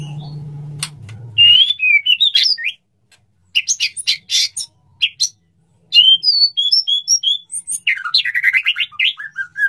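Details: Male white-rumped shama courting a female and wanting to mate: after a low hum fades, loud whistled notes, sharp clicks and rapid chattering trills come in bursts with short silent gaps.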